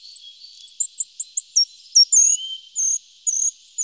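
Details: Short-toed treecreeper singing: thin, very high, sweet notes in quick succession, some slurred, building into short trilled phrases, with faint background hiss.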